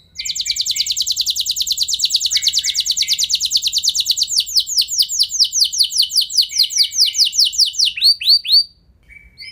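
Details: Canary song used to provoke other canaries into singing long rolls; an extended rapid trill of about eight seconds gradually slowing into distinct down-slurred notes, then stopping.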